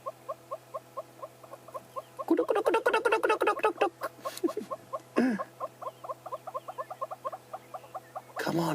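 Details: A hornbill pair in a morning display, building up to holding their wings high over their heads, give steady, hollow clucking notes, about three a second, swelling into a louder, faster burst; a person's voice breaks in briefly.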